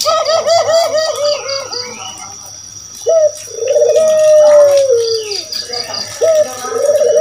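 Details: Spotted dove, known locally as puter or kedis kuteh, used as a lure call to draw other birds into answering; mid-pitched trilled coos opening the clip, then a long steady coo that slowly falls away, over a pulsing high insect-like background.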